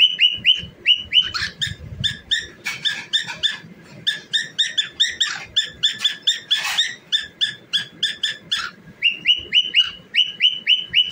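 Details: Cockatiel singing and dancing indoors, delivering a long, dense stream of quick whistled chirps in steady rhythm, with several louder buzzy bursts mixed in and soft background thumps.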